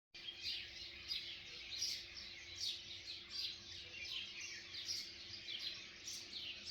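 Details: Many wild birds chirping at sunrise on a slow morning at Kodaikanal, India: a dense, overlapping chorus of high, thin twitters and short tweets, repeated steadily throughout, over a faint steady low hum.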